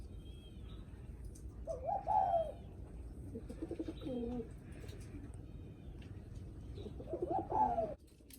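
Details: Spotted dove cooing, a call said to greet visitors arriving at the house. Three soft, low, rolling coo phrases come a few seconds apart over a noisy, hissing background.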